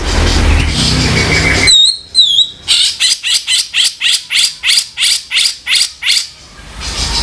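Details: Kasaran of a grey-cheeked bulbul, a harsh tutor call: two brief whistled slurs, then a steady run of rasping, scratchy chattering notes about three per second. Low murmur before and after.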